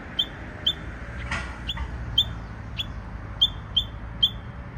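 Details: ['Japanese bush warbler, possibly immature, practising an unusual song: clipped high notes with a downward flick, spaced irregularly, interrupted near the middle by a brief broadband rustle or thump.']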